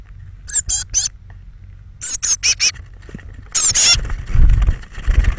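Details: Young Eurasian blue tits, thirteen fledglings leaving their nest box on the morning of 21 May 2017, between 06:00 and 08:00; high, thin squeaky chirps in quick bursts of three or four, with low rumbling noise in the second half.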